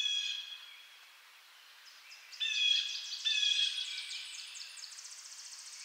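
A blue jay gives a harsh, nasal call, then after a pause a run of rapid, ringing, squeaky notes overlapping in quick succession; no other sounds intrude.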